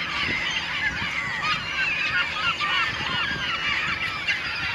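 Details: Caspian gulls, including a second-calendar-year bird, in a noisy flock on 22 January 2015: overlapping harsh, nasal, honking calls, some rising and falling, run without pause throughout.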